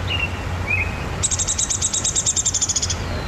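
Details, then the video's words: Downy Woodpecker whinny, often heard in its range: a fast run of about fifteen high, sharp notes that starts abruptly and slowly drops in pitch over under two seconds, over low rumbling background noise. "So that is, you hear that a lot, you know, in Downy Woodpecker country, that whinny."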